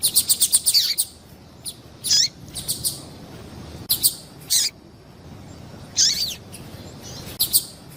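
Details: Female double-collared seedeater calls used to heat up males: an opening run of quick repeated chirps, then irregular bright notes, several sliding downward in pitch, over light hiss.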